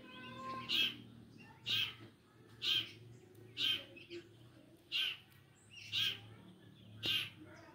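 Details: Long-tailed shrike giving a steady series of short, harsh, nasal notes, about one each second, eight in all, over a quiet low background hum.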